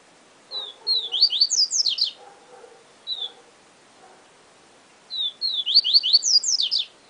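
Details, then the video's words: Two full phrases of the 'Siu Siu Professor' song from a yellow-bellied seedeater, each a pair of falling whistles then rapid rising and falling high notes, with a lone whistle between them and faint low background murmuring. "Papa Capim Siu Siu Professor"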